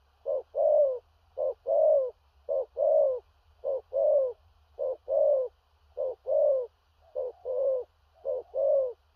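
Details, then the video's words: Large-bodied spotted dove cooing in the loud 'thổ rặc' style with stuttering coos: about eight pairs of a short low note followed by a longer, slightly falling mellow coo, repeated steadily at under a second apart. "Cu Gáy/THỔ RẶC ÂM KHỦNG/Clip455/Nước Xa Thúc Kèm Gù Cà Lăm/Tướng Bộ To Bự"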